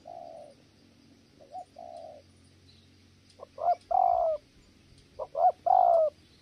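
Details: Spotted dove at a trapping site in Kon Tum, Vietnam, cooing in a prized local tone. Two soft low coos are followed by louder paired, slightly rising cooing phrases, with a faint steady insect hum behind.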